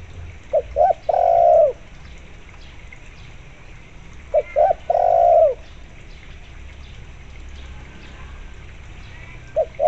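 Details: Energetic spotted dove calling to make zebra doves answer. Short-short-long coo phrases repeat roughly every four seconds, with quiet pauses between them.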